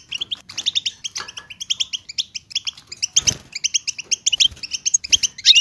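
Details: Goldfinch bitbita chorus aimed at rousing silent European goldfinches: rapid bright twittering in short clustered runs, one low knock partway through and a louder flourish at the close.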